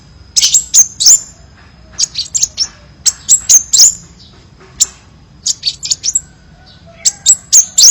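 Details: Crimson sunbird song with many variations, used to train songbirds: clusters of high, twittering chips and squeaky notes in uneven bursts over a constant low hum and a faint steady whine.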